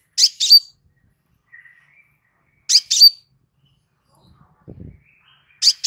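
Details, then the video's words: Crimson sunbird in relaxed song, recorded as a master for teaching birds: double bursts of piercing high chips about every two and a half seconds, faint thin whistles between them and one brief low thump. "Suara SANTAI Kolibri Sepah Raja"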